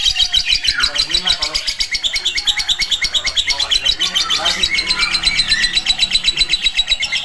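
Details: Lovebird giving ngekek, the long chatter, recorded as a tutor track to prompt other lovebirds to answer: a fast run of high, harsh pulses, unevenly spaced, with lower sweeping notes and some background voices underneath.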